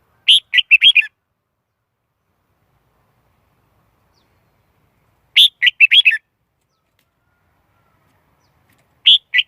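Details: Red-whiskered bulbul lure song used to attract wild birds for trapping: short phrases of rapid chirpy, warbling notes repeated roughly every five seconds in a quiet recording.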